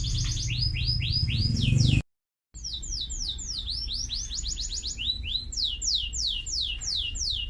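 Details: Singing canary delivering quick runs of high, down-sweeping whistled notes. A brief silent gap follows, then the fast repeated slurs resume, some doubled into rolling phrases, over faint low background noise.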